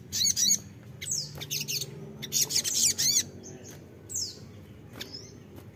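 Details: Crimson sunbird, locally called sogon or sogok ontong, used as a lure to draw an answer from untrained birds: high, thin chittering bursts mixed with sharp downward-sweeping whistles, separated by short pauses.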